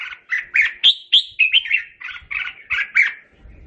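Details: Calling its flock, a red-whiskered bulbul gives a steady series of about twelve bright chirped whistles, several sharply upswept, in an even rapid rhythm.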